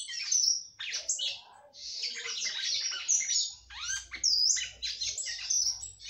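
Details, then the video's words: Singing female red-cowled cardinal, captive, performing to stimulate the male, with a near-continuous tumbling stream of high whistles, slurs and buzzy chips, and a low hum entering midway. "FÊMEA DE GALO DE CAMPINA CANTANDO MUITO PRA FOGUEAR SEU CAMPINA."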